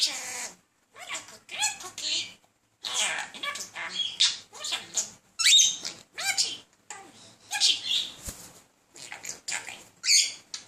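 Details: Persistent courting chatter from a talking male budgie directed at a second budgie: rapid scratchy warbling, chirps and squeaky sweeps in close-packed bursts, with brief pauses between phrases, indoors and otherwise quiet.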